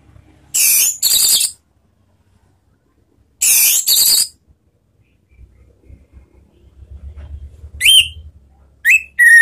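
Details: Captive orange-headed thrush used as a lure sound to set other birds singing, giving two harsh, buzzy chattering bursts, then two clear descending whistles near the end, over a faint low rumble.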